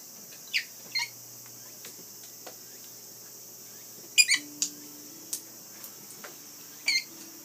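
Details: Rainbow lorikeet calling in the afternoon: short, harsh screeching bursts at irregular intervals, some in quick pairs, over a steady high-pitched hiss from insects or the surroundings.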